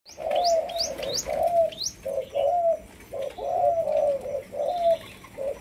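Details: Young Malaysian-strain spotted dove, a caged bird in training as a decoy, giving a run of short, low, hollow coos in quick succession, with thin high chirps from another bird above.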